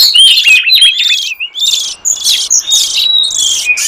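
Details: Oriental magpie-robin song of wild forest birds, played as a lure to attract wild magpie-robins; a loud, dense run of clear whistles, sharp chirps and buzzy trills, with phrases following one another with hardly a pause.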